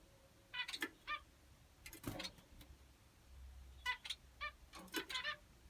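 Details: Finches calling in short bursts of harmonic chirps, clustered in quick series around one, two, four and five seconds, with a low background hum between phrases.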